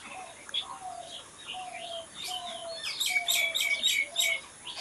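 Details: Birds singing in nature: a low, slightly descending whistle repeated at intervals, then a loud burst of rapid, high staccato chirps from another bird in the second half.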